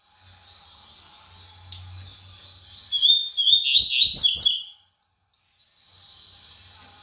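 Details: Brown-plumaged double-collared seedeater showing off its fast song: after a quiet stretch, a burst of rapid, tightly packed warbled notes rises and falls around the bird's high register for under two seconds, then stops abruptly.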